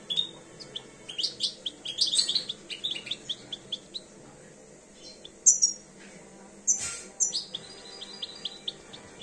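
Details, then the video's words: A two-year-old European goldfinch coming into breeding condition gives a lively, rambling song of quick high twitters, chirps and buzzy notes, with a few louder bursts in the second half, over faint low hum. "jilguero empezando a encelarse"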